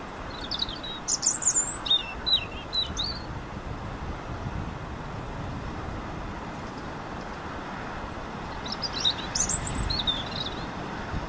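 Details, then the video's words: A European robin (Erithacus rubecula) sings at Caión, A Laracha, Galicia, 15 June 2013, giving two bursts of high, thin, twittering phrases several seconds apart over a steady low rumble of wind or distant traffic. "Paporrubio, canto"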